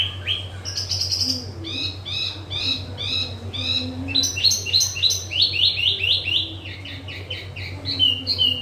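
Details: Caged yellow-vented bulbul in lively, varied song: bursts of quick chirping and slurred whistled notes repeated rapidly in runs, shifting pitch between phrases, over a constant low electrical hum.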